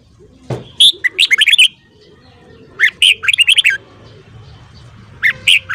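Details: Morning song of a red-whiskered bulbul, with quick chattering runs of clear, warbled notes in three bursts separated by pauses, and a soft low rumble beneath.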